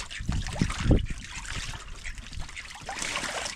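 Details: Trickling and splashing water with low thumps, and no animal voice heard.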